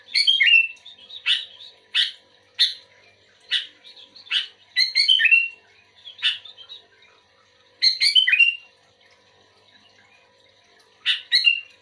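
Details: Sooty-headed bulbul, active and responding to a reluctant bulbul: short bubbly, slightly harsh chortling phrases repeated at irregular intervals of about one to two seconds, with a quiet pause before a final phrase.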